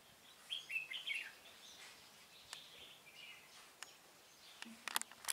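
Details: Red-whiskered bulbul singing as a decoy bird at a trap, 16 November 2017: a short burst of quick whistled, warbling notes early on, then scattered softer chirps over hissing background noise, with sharp clicks and knocks near the end.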